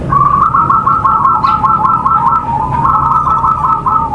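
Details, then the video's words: Lure song of a local zebra dove, meant to prompt singing: a continuous, rapid warbling stream of clear mid-pitched notes with slight rises and dips, over a steady low background hum. "Suara MASTERAN perkutut lokal gacor"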